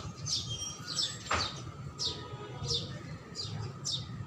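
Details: House sparrow giving about seven sharp, high chirps spaced unevenly, plus one lower note sweeping downward in the middle, over a constant low hum.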